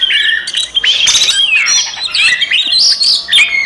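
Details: Oriental magpie-robin giving fighting song used as a lure to anger other magpie-robins: dense rush of clear whistles, slurred glides and quick chirps, with no pauses and no other sounds.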